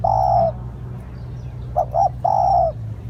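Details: Cooing of a spotted dove used as a lure: a long steady low coo, then a pause, two quick short coos and another drawn-out coo.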